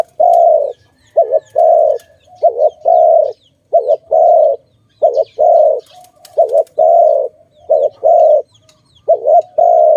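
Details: Dove cooing during bird trapping: low, hollow coos in repeated phrases, a quick double coo followed by a longer steady coo, over and over for ten seconds with only short gaps, and faint high chirps of other birds behind.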